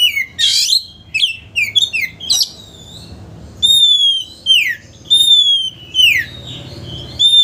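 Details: Oriental magpie-robin singing to stir a rival's aggression so it spreads its tail. Short scratchy chirps come first, then clear pure whistled notes, some falling and some held, repeated about once a second over a low hum.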